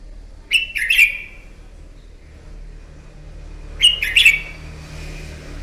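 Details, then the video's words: Morning fighting song of a red-whiskered bulbul, played to train a bird: two bursts of quick, bright, slurred whistles about three seconds apart over a faint hiss. "Kích chào mào bổi hót đấu, luyện giọng chào mào hót đấu buổi sáng kích chim hót đấu căng lửa"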